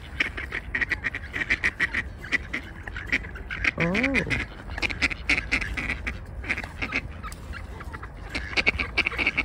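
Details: Quarrelling ducks on water at Tveiten give a dense run of short nasal quacks, several birds calling over one another, with one drawn-out, rising-then-falling wavering call midway and a faint voice nearby.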